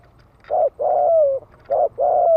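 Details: Spotted dove giving the fast 'thúc gù' coo used to provoke males: two phrases, each a short soft coo and then a longer, slightly falling coo, over a faint low rumble.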